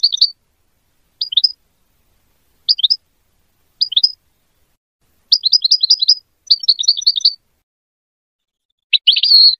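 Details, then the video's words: Goldfinch singing as a lesson for young hybrid birds: short high twittering notes spaced about every second, then longer rapid runs of chirps and a final buzzy, trilled phrase. "The best singing to teach hybrid chicks and goldfinch"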